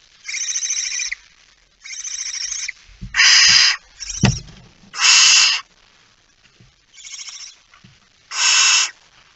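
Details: Barn owl during feeding at the nest, 19 September 2019, 05:28; breathy rasping hisses come in bursts of about a second, mixed with scuffling and a sharp thump midway.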